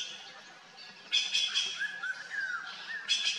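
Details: Noisy trio of red-billed blue magpies eating fruit in deodar and wild pear trees near Mussoorie, Garhwal Himalaya: two harsh, rasping squawks about two seconds apart, with a thin wavering whistle between them.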